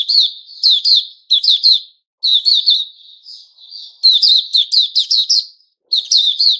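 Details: A white-rumped shama gives its opening song on 29 August 2021: bright, high whistled and chirping phrases in quick bursts, separated by brief pauses. No other sounds are heard.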